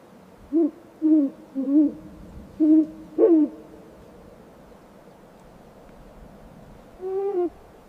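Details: Snowy owl chirping: five quick, wavering harmonic notes within about three seconds, then a long pause and one final, softer, slightly rising chirp.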